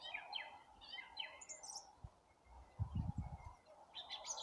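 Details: Spring birds in April easing into song: repeated high chirping phrases and a thin whistle, mixed with low thumping knocks midway and a rougher hum underneath.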